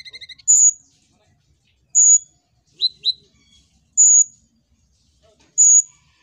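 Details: Kolibri ninja singing vigorously, a lure for other birds: a brief pulsed trill, then piercing high whistles every one and a half to two seconds, with a pair of lower chirps between.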